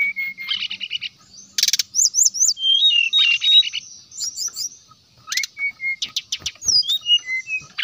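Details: Lure song of a brown-chested jungle flycatcher, sung to make rivals answer: steady whistled notes, buzzy chatter bursts, and quick upward-flicking high trills in varied phrases.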